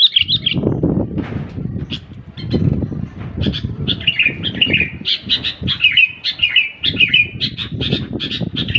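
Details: Sooty-headed bulbul chirping and whistling in quick clustered notes over constant low rumbling and knocking noise that nearly matches the bird in loudness.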